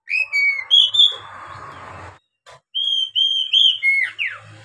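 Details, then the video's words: Oriental magpie-robin song played as a lure to train young captive birds to sing: clear whistled notes and slurred phrases with a brief scratchy passage, a short pause, then more loud rising and falling whistles ending in a downward slide. "SUARA KACER buat PANCINGAN KACER PEMULA agar cepat gacor"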